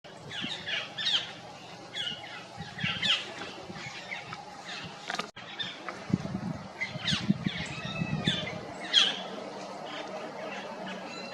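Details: Stripe-throated yuhina perched on a tree in forest at Jabberkhet, Mussoorie: short, high chirps in scattered bursts of two or three notes, some sharper and louder, over a steady low rumble of the forest background.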